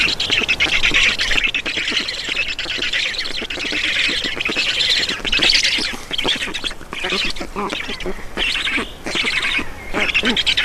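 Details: Black storks at a nest in Estonia during feeding, 4 June 2019 at 18:07; a continuous stream of harsh, hissing squawks with rapid low pulsing, swelling and fading across the recording, no clear pauses.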